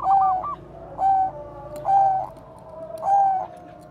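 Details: Bangkok zebra dove, bekur koar-koar singer used to prompt other doves: a short stuttered opening followed by four rounded, steady coos spaced roughly a second apart.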